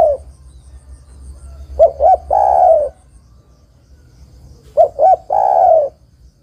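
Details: Female spotted dove calling to the male: two short rising coos followed by one longer, slightly falling coo. The phrase is given twice about three seconds apart against a quiet low hum.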